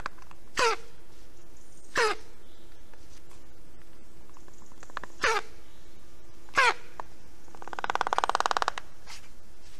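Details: Black storks at a nest in Estonia as the adult male brings fish for breakfast, 9:12 am on 19 July 2021; four harsh, rasping, downward-sweeping calls spaced over seven seconds, then a buzzy rattling burst, over a steady low hum.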